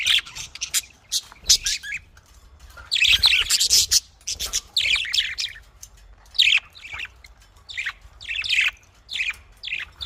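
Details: Budgerigar chattering: continuous high chirps and scratchy warbles, a denser burst in the middle, then quick chirped phrases repeated every second or so.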